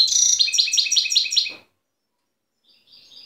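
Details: Goldfinch in the wild at Tiaret, 2015 recording, delivers one fast, liquid burst of chattering notes lasting about a second and a half, then a faint thin trill after a pause.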